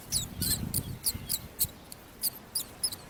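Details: Myna chicks in the nest, fed by their mother, giving sharp, thin, high-pitched squeaks about three or four per second over a low background rumble.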